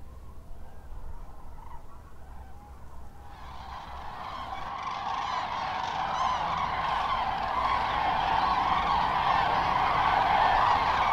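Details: Common Cranes on migration at Lac du Der-Chantecoq, northern France, returning in late afternoon to their overnight roost on the lake. Faint low calls for three seconds, then a dense chorus of overlapping trumpeting calls that swells steadily louder.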